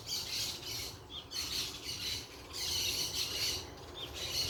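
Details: Noisy parakeets outdoors: a flock's shrill, scratchy squawks come in waves roughly every second, high and hissy, fading briefly between bursts.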